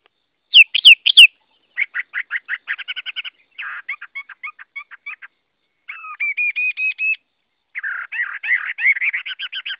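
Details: Chinese hwamei (Garrulax canorus) mixing clear upslurred whistles with fast rattling trills and chattering series, then a run of bright repeated notes and a varied warble.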